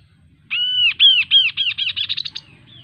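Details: Melodious kaso kaso bird song: a series of arched, ringing whistled notes, the first long and the rest growing shorter and faster into a rapid trill before trailing off. No other sounds.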